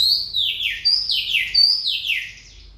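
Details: Oriental magpie-robin pouring out rich, clear whistled notes, each starting high and swooping down, linked in a quick, continuous phrase with a few soft, faint notes between.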